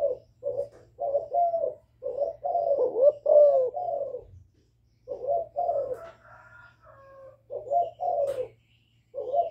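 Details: Young spotted dove decoy bird giving calling coos and bowing coos to stir wild doves: clusters of low hoarse rising-falling notes, a mid-clip pause with other small birds' thin whistles, then cooing resumes.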